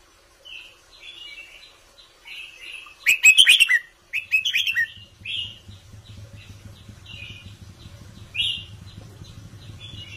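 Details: Indonesian-style counted song of a caged red-whiskered bulbul: soft whistles, then two loud back-to-back bursts of rapid chattering warble, followed by quieter whistled notes and a low humming background.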